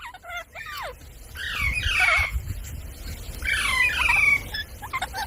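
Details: Parrot uttering a few short chirps, then two drawn-out, harsh, descending squawks separated by a brief lull, over a faint low background rumble.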